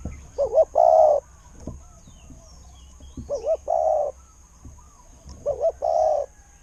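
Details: Spotted dove, a decoy bird valued for its fine voice. Three low cooing phrases, each a quick wavering double note followed by one long steady coo, repeated about every two and a half seconds against quiet background hiss.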